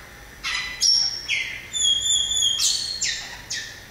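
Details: Song of the variable oriole, known as inhapim: a quick series of short whistled and buzzy notes, some rising and falling, with two long, pure high tones sustained in the middle. The background is otherwise quiet.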